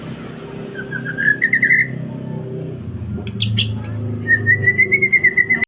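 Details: White-rumped shama, Indonesian 'pastol' song meant to lure other birds: a rising rapid trill of whistled notes, a sharp high burst, then a longer level whistled trill, over low rumbling background noise.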